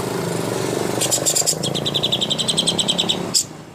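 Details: Greater green leafbird master song for contest birds: bright, rapid high chirps and short repeated whistled notes in quick pulses for over two seconds, over a steady low engine or vehicle rumble.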